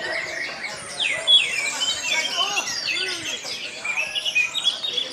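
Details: Orange-headed thrush at a songbird contest in Karawang, pouring out a fast, varied song of high whistles, sweeps and chatters, with other birds singing over it and crowd voices and applause behind.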